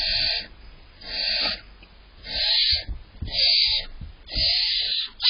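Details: Barn owl owlets begging inside their nest box in July while awaiting prey from the adults: long breathy hisses, roughly one per second, some stretched and overlapping, with soft thumps in the quiet gaps.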